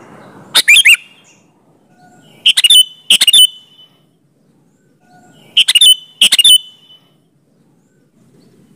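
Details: Sooty-headed bulbul singing lively, used as a lure to make other bulbuls answer, with no other birds mixed in: five short bubbly whistled phrases in pairs of two or three quick notes, spaced by silent pauses, faint background hiss.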